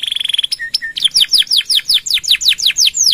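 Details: Canary in long nembak song, meant as a master recording for other birds: a rapid buzzy pulse run, two short dips, then a regular series of falling slurred whistles, about three per second.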